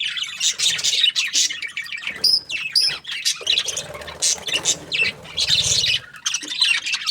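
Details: Budgies chirping as a group: overlapping high warbling chatter and short squawks, with a couple of clear rising whistled notes near the two-second mark amid the busy chorus.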